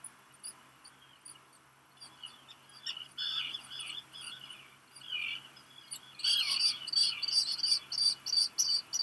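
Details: Black guillemot chick, one of two hatched 29 June 2021, in a nest on Seal Island National Wildlife Refuge, Maine, USA, around noon on 13 July, hearing a parent arrive with rock gunnel; faint scattered peeps, then shrill high peeping bursts from six seconds on.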